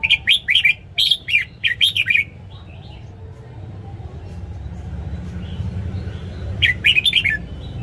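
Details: Red-whiskered bulbul kept in a cage, singing in the morning for bird training: a rapid run of loud, clear whistled notes, a pause with low rumbling background, then another short whistled burst.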